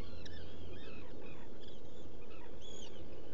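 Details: From a burrow camera at Seal Island NWR, Maine, 14 June 2018 at dawn: black guillemot nest site with a tumble of thin, wavering whistles and short upslurred notes, with low steady background rumble.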